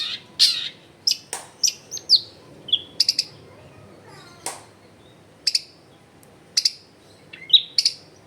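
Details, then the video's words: Sparse long-tailed shrike song recorded at a home in a crowded residential area: scattered sharp chirps and short whistled notes with gaps, some in quick pairs, used to prompt silent shrikes to sing. "CENDET GACOR BAHAN BUNYI ISIAN MELIMPAH CENDET DIAM LANGSUNG NYAUT EFEKTIF CENDET AGAR IKUT BUNYI"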